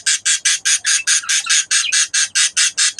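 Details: At a budgerigar breeding setup, a rapid series of rasping, hissy calls comes in very even pulses, roughly two to three each second.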